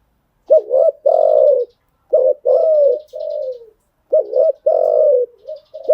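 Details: Decoy spotted dove recording used to train newly caught birds: mellow, hollow coos in phrases, each a short two-part hoot leading into a sustained, slightly falling coo, three phrases in six seconds.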